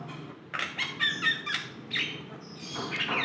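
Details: Javan myna (jalak kebo) in lively song: a burst of rasping chattering notes with whistled overtones, a pause, then more scratchy squawks and a rising harsh note at the end.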